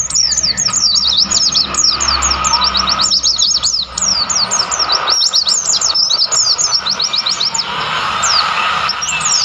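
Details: Several wild mountain white-eyes chattering in montane forest of Mount Lawu, Tawangmangu: continuous streams of very high, quickly repeated downward-slurred tweets, densely overlapping, against a broad steady hiss of the surroundings.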